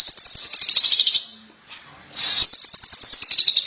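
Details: Javan myna song meant to stir silent mynas into singing: a fast pulsed rattling phrase, a short pause with faint noise, then another rapid high rattle of evenly repeated clicks.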